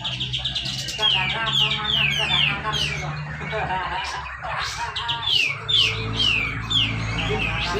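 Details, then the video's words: Contest-ground recording in Malinau, North Kalimantan, of a caged Grey-cheeked bulbul delivering tight 'besetan' song meant to spur lazy birds into singing. Quick series of sliding, downward whistles, with a low steady hum underneath and other birds chattering. "cucak jenggot besetan rapet"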